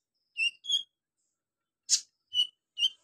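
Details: Van Hasselt's sunbird (kolibri ninja), an energetic singer with imitated golden grasshopper, lovebird, cricket and cililin sounds: five brief high chirps in a loose pair-and-triplet pattern, one a harsh noisy burst, in otherwise quiet surroundings.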